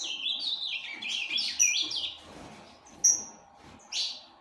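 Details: Tournament-type ultramarine grosbeak kept by a breeder: a fast, slurred warbling phrase of rising and falling notes, followed by scattered short, sharp, high chips and a brief whistled note.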